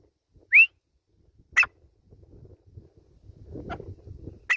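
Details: Grey francolin: one loud upslurred whistle early, then sharp clicks and a rising bed of low background rumble.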